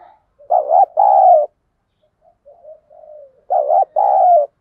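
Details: A decoy spotted dove provoking wild doves to fight; two emphatic two-part coos, short then long, separated by a quiet stretch of soft low cooing notes.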